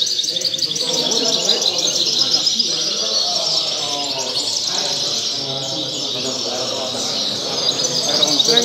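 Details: Goldfinch competing in a singing contest: a long, unbroken run of liquid twitters and tinkling chirps, high-pitched and irregular, with a man's voice and background chatter of people underneath.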